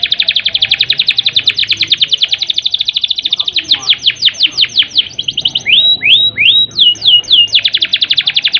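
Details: Canary song played to excite birds low in breeding drive: a long rapid trill, then spaced descending sweeps, three upslurred whistles and a return to quick rolling notes.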